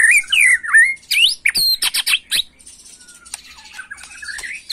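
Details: Agitated white-rumped shama, macul style, a song to excite young birds: swooping whistled slurs, then a burst of sharp clicking notes and softer warbling trailing off.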